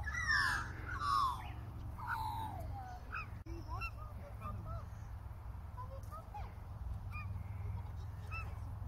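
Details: A couple of Australian Wood Ducks on Heirrison Island, Perth, Western Australia, on an autumn afternoon, with two juvenile magpies nearby; loud nasal harmonic calls crowd the first seconds, then softer scattered calls over a steady low rumble.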